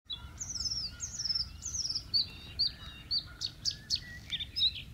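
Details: Bluethroat song at Biesbosch, the Netherlands, 10 April 2017: a run of high, slurred descending phrases, then sharp metallic ticks and quick chirps in rapid succession, over a low background rumble.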